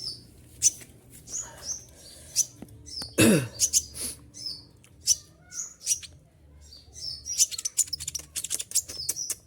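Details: Moulting captive olive-backed sunbird singing nonstop with shrill shooting notes: short, high, sharp chirps repeated in quick clusters, one brief broadband rustle or thump midway, faint low background hum.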